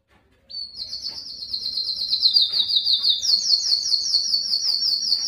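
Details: Canary, a Belgian bird, sings to excite females for mating with a single high, thin, rapidly pulsed trill that steps up in pitch midway and carries on steadily, with no other sounds.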